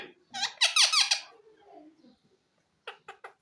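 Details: Green ringneck parrot speaking a short squeaky, nasal phrase of several falling syllables, followed by quiet low murmuring and three brief clipped notes.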